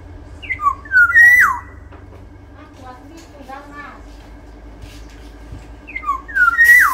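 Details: Large-bodied Sumbawa black-naped oriole whistling two loud fluty phrases, each a run of short descending notes rising into a clear whistle that ends in a sharp downward slide, about five seconds apart, with low rumbling and faint voices between.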